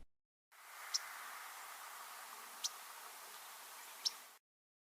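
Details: Yellow-rumped Warbler migrating through riparian crack willows at Spokane Bay near Helena, Montana, at midday in late August, giving three sharp, high chip notes about one and a half seconds apart while foraging, over a steady background hiss.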